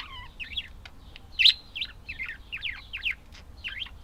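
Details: Budgies chattering steadily: a dense run of quick, slurred squeaks and buzzy chirps, one strident call standing out early, with a soft click or two between notes.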